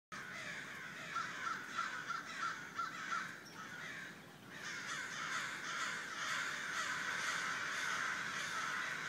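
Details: A large flock of crows calling together: dense, harsh, overlapping caws in a rapid, near-continuous chorus, louder in the first few seconds and then a steady wash of cawing.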